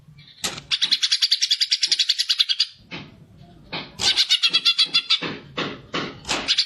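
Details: Greater green leafbird singing a fighting song meant to stimulate other birds: fast, buzzy, high trilled bursts of rapidly repeated notes, a long run followed by a pause and then shorter stuttering bursts.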